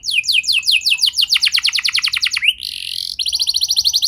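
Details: Song of a canary played to coax young canaries into singing: a series of quick descending high sweeps accelerating into a dense trill, a rising slur, a harsh buzzy burst, then another fast pulsing trill.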